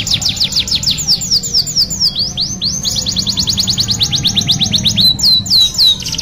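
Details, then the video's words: Long canary song meant as a lure: continuous bright trills of rapid descending notes, a brief run of slower slurred notes midway, and more fast trills, over a low background hum. "TERAPI PANCINGAN KENARI GACOR PANJANG | CANARY SINGING"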